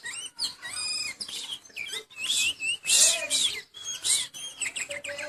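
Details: Oriental magpie-robin in moult sings a dense, varied stream of whistles and harsh rasping notes, loud and nearly continuous with short gaps.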